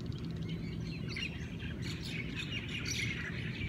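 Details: Hawaiian birds in a morning chorus: several overlapping high chirps and short twittering phrases over a steady low rumble of background noise.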